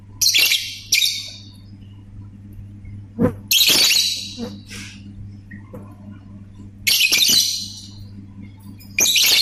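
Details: Lovebird ngetik and ngekek chatter: short harsh buzzy bursts in uneven groups with quiet gaps, plus a few softer calls in between over a low steady hum.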